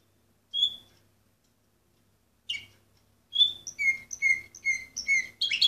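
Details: Orpheus canary, number 24 from 2014, gives a lone whistled note, a short buzz, then a run of evenly spaced clear whistles about three per second, ending in a loud burst.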